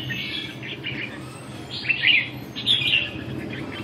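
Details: Red-whiskered bulbul, training session of 2 June 2012, delivering two loud, fluty warbled phrases with a soft chirp before them, over steady background hum.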